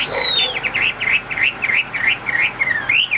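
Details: Chinese hwamei kept in a cage, whistling a rapid series of about ten repeated up-and-down notes in three seconds, ending in a rising slur, over a constant background noise.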